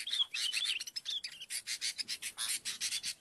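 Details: Sooty-headed bulbul call used to lure birds. Opens with quick whistled slurs over scratchy chatter, then a steady run of harsh, rasping notes repeated several times per second.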